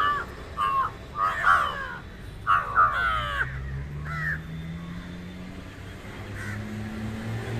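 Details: Indian jungle crows (Corvus culminatus), seen fighting, give harsh, nasal caws in short irregular bursts through the first half, over a low rumble of passing traffic.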